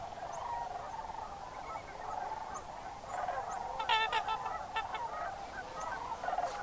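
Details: Large October migration gathering of Sandhill Cranes at a northwest Wisconsin wetland, Crex Meadows, at evening or early morning. Steady massed chorus of rattling, bugling calls, with a few sharper, nearer squawks breaking through near the middle and end.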